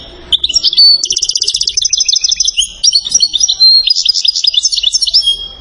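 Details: European goldfinch from Settat, Morocco, in a rare recording: a rapid, bright twittering song of high tinkling notes, with a buzzy trill near the start, then fast liquid chirps and sweet whistles, rich and continuous for over five seconds.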